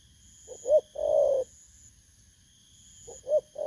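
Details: Spotted dove, wild-caught, Vietnam, August 2024. One full phrase of two short coos and a long, low, husky note, then a second phrase begins. A continuous high-pitched electronic tone runs underneath.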